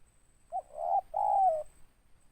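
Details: Close spotted dove, a local bird with a loud, full ngeruk-style voice: a short soft note, then two long mellow coos, the second gently falling at its end, in a quiet setting.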